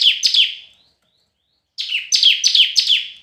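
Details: Red-whiskered bulbul singing competitively: a few falling whistled notes fade into a silence, then a crisp series of four or five downslurred, chirpy notes follows.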